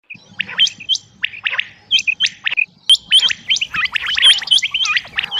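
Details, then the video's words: Rain quail calling: dense, overlapping high chirps with sharp hooked and downward-sweeping whistled notes, short bursts repeated in quick irregular succession, with a faint low rumble underneath. "rain quail chniag batair ki max awaz"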